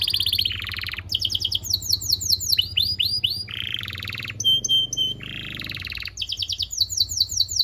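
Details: Singing canary for training young birds, long varied song: fast rising and falling whistled sweeps alternate with dense buzzy trills and short clipped note bursts, all high-pitched, with faint low hum underneath.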